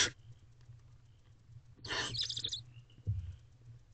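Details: Barn owl in a nest box just after midnight on 23 April 2023, a female feeding herself and her owlets: a single harsh, breathy hiss lasting over half a second midway, with faint soft chirps and low rumbling background noise.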